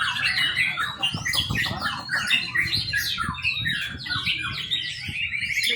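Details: Varied song from a young white-rumped shama: quick whistled notes, buzzy chatters and downslurred chirps run together, ending in a rapid repeated trill; kept as a lure recording for bird training.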